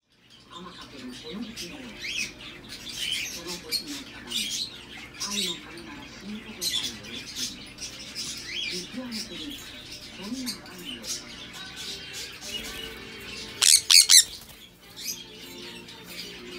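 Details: Hand-tame sun conures born in Thailand, filmed at a bird shop in Mizunami, Japan, giving scattered harsh, buzzy screeches in short bursts over a low murmur of people's voices, with a loud rattling clatter near the end.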